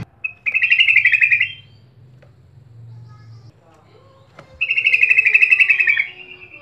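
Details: Sooty-headed bulbul sound played to get birds singing: two dense, buzzy chattering bursts about a second long, steadily pulsed, with a low murmur and faint sliding tones between them.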